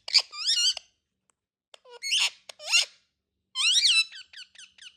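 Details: Indian ringneck parrots calling with grating screeches and squeaks, ending in a quick series of five short clipped notes; quiet background otherwise.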